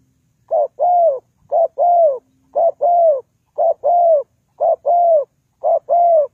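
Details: Spotted dove call, used as a lure for trapping: clean, loud paired cooing, a short note followed by a longer falling coo, repeated about once a second for six phrases, with a quiet background.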